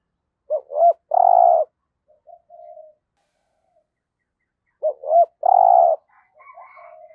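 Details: Decoy spotted dove for trapping, giọng thổ song style: two phrases of quick hooked double notes and a long coo, about four seconds apart, soft coos between and a fainter higher chirping at the end.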